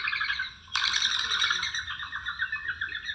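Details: Mourning dove taking off, with a squeaky sound made by the wings rather than the voice and heard on every flight: a sudden onset becomes a sustained, hissing, fluttering whistle with rapid pulsing, over low background rumble.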